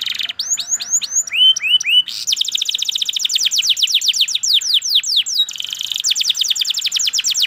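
A canary sings a long, fast song of rapid repeated trills and sweeping whistled notes, with high rolling phrases changing every second or two.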